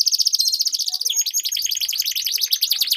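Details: Canaries duelling in song, a lure for training competition birds: a fast, even, high trill that shifts after one second into dense rapid chattering notes, all very high and bright, with no other sounds.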